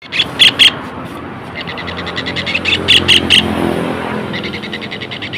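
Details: Long-tailed shrike song used as a training recording. It is a fast rattle of harsh, pulsed notes broken by a few loud, sharp chips, over a faint low hum.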